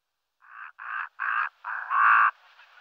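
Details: Brown-necked raven (Corvus ruficollis), call.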